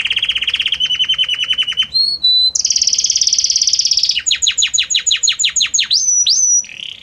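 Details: Belgian canary (Serinus canaria domestica) sings a loud, varied, harmonious song moving gradually from note to note: fast trills, a sustained buzzy roll, then sharp downward-swept whistled notes and rising slurs.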